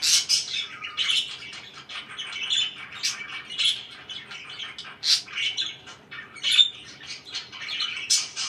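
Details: Budgerigars kept as pets calling loudly indoors with sharp squawks and bright chirps in bursts, several louder peaks standing out over constant chatter.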